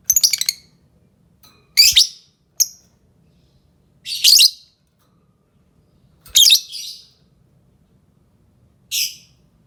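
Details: Green-series Fischer's lovebird giving loud, rasping, high chirps in irregular bursts, some doubled, with quiet pauses between.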